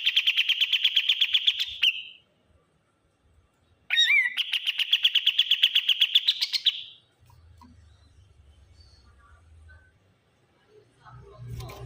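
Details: Kapas tembak bulbul giving a noisy call: a steady, fast, pulsing rattle of high notes breaks off, then returns after an upswept note, ending before faint low rumbling and a soft background knock.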